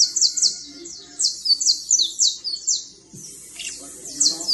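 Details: Trilling creole fine canary: crisp, high, falling notes repeated in quick bursts, a short pause and a brief noisy rustle, then the trill resumes.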